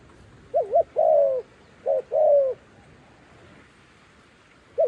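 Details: Decoy dove luring wild doves toward a trap: a quick doubled note and a long hollow coo, the phrase given twice before another starts, over faint outdoor hiss.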